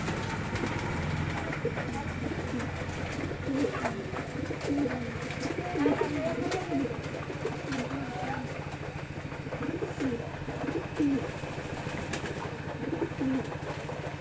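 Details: Kept pigeons in Trishal, Bangladesh, coo softly in low, throaty phrases over a steady mechanical hum.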